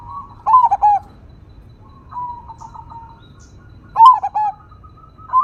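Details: Crossbred zebra dove with a strong voice, single vocal style, gives a rolling stuttered coo, a softer drawn tone, then a second loud coo, in a quiet natural setting.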